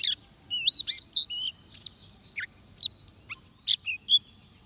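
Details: Vietnamese trapping scene with an Oriental magpie-robin singing sparse, melodious phrases: wavering whistles, a few sharp clicks and a drawn-out descending note, separated by short silences.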